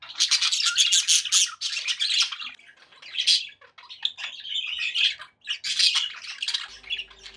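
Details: Happy pet budgerigars chattering indoors: dense scratchy warbles and squawky bursts, broken by short pauses, with a thin whistled thread running through the middle.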